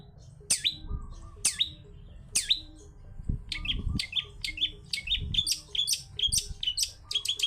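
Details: Cendet pilis, a long-tailed shrike, in wild-style lure song: three loud sharp whistles about a second apart, then a fast run of high bent chirps and clipped notes, over low thumping.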